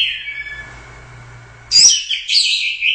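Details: Orange-headed thrush, a champion competition bird from the Royal Cup, singing gacor with teler doyong swaying. A faint, level whistle-like tone, then a sudden loud burst of bright, squeaky warbling phrases near the end.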